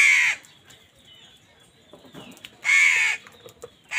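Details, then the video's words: Crow fighting with wild birds over food: two loud, harsh, hoarse caws, one at the start and one near the end, with a quiet pause between them. "Crows fight with wild birds for food | Crow bird unity anger and sound"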